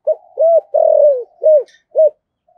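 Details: Caged decoy Spotted Dove in the Vietnamese 'thổ' voice style, cooing and calling in the 'hai hậu' manner: one low phrase of five hollow notes, short, arched, a long sliding coo, then two short arched notes, over quiet background.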